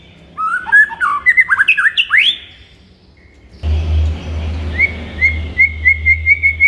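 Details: Morning masteran song of a white-rumped shama (murai batu), used to stir up a kept shama: a rich tumble of varied rising and falling whistles, then a pause and a string of repeated short whistled notes over a steady low hum.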